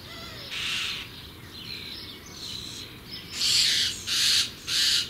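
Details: Young common starlings (Sturnus vulgaris) soon to fledge give harsh, hissing rasps in half-second bursts, the final three louder and quicker, over a low rumbling background.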